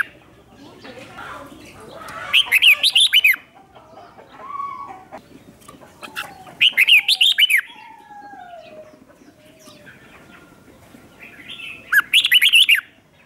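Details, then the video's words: Red-whiskered bulbul used as a lure to call in wild birds sings three brisk whistled phrases, each about a second of tumbling, slurred notes, spaced roughly four to five seconds apart. "Chào mào mồi gọi bổi không tạp âm, tiếng chào mào mồi gọi là đến"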